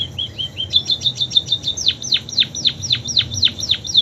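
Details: Munia singing canary imitations: a quick rising trill of high chirps, then a steady train of steeply descending whistles repeated roughly four times a second.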